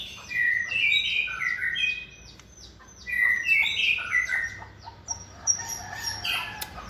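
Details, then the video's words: Caged white-rumped shama in its second season, hand-raised from a nestling, a versatile competition singer, pouring out rapid varied whistled notes and slurred rising and falling phrases in two bursts separated by a short pause. "chòe lửa dáng sẻ, hót cực bền nết chuẩn đấu giàn"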